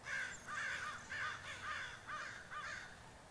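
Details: Crows, over twenty of them perched on a roof, caw in a rapid, nearly continuous series of six harsh arched calls, overlapping one another against low background noise.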